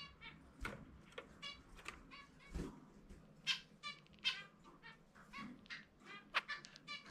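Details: Pet zebra finch singing its distinctive individual song, rendered as "chumi chumi pe", during indoor free-flight time: a faint series of short nasal, buzzy harmonic notes given in irregular bursts with soft thuds and room noise between them.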